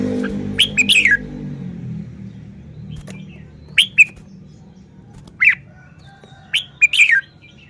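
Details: Red-whiskered bulbul, a caged songbird in Thailand, showing its song style: short sweeping whistled phrases rising and falling, in bursts of two or three notes separated by pauses, over a low background hum.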